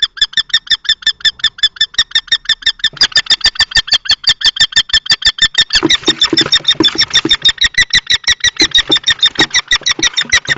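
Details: Fast, continuous shrill kestrel calling with scuffling and thumping noise underneath. An adult male and a juvenile-plumaged male common kestrel fight over a nest box in Théding on 20 March 2024, with a female present.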